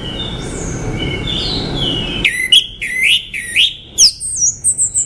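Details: Orange-headed thrush: soft introductory whistles, then a string of repeated upslurred whistled notes about three per second, finishing with high, thin sliding notes.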